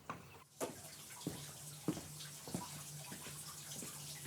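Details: Water runs and drips indoors, with irregular splashes and knocks over a low steady hum; no animal voice is heard.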